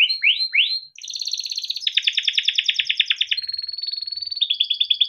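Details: Yellow canary kept in a cage and singing long for training young birds: upward-sweeping whistles open into fast buzzy trills and rolled chirp series, steady and loud throughout, with nothing else audible.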